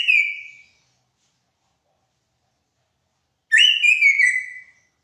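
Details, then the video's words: Two separate loud whistled phrases from a greater racket-tailed drongo, a noted mimic, each a clear slightly descending whistle, separated by about three seconds of silence. "SUARA SRIGUNTING BATU (Antena)"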